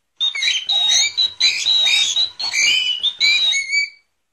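A cockatiel gives a run of bright, clear whistles that slide up and down in short bursts.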